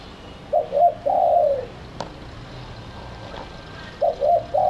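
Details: Spotted dove lure call for attracting doves. Two low coo phrases, each a couple of short notes then a longer drawn-out coo, separated by a pause with a faint click and background hiss.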